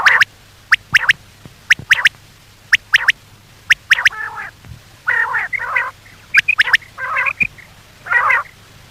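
Common quail giving sharp, clipped notes in quick pairs and triplets about once a second, followed by harsher, rasping bursts.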